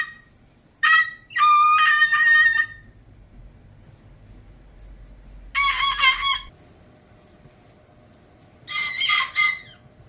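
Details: Male umbrella cockatoo kept as a pet indoors, which usually screams much louder, giving short harsh, buzzy bursts with harmonic squeaks in three separate outbursts several seconds apart, otherwise quiet room.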